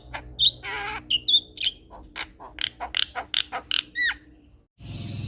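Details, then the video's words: Male Javan myna song played as a lure to make other mynas respond: clicks, harsh rasps and sharp whistled notes in an irregular burst, ending in a low noisy hum. "Pancingan Segala Jenis Burung Jalak Sekali Putar Ocehan Jalak Kebo Jantan Ini Pasti Langsung Respon"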